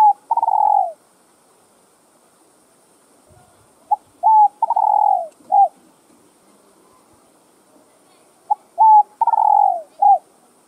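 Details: Spotted dove with a full song set of calling, urging and cooing, played to stimulate other doves; three phrases of a short note, clipped coos and a long falling coo, spaced about four seconds apart, light hiss.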